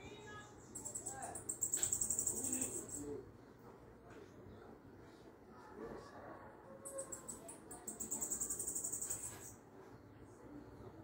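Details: Sibito song meant to stimulate other sibitos: two long bursts of very high, fast, evenly repeated notes separated by a few seconds of quieter background hum and faint low sounds.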